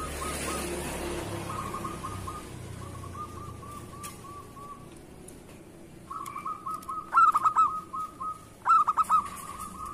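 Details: Local zebra dove singing actively, kept as a lure bird: quiet low coos at first, then two loud phrases of sharp staccato notes running into a rolling trill near the same mid pitch, over steady background hiss.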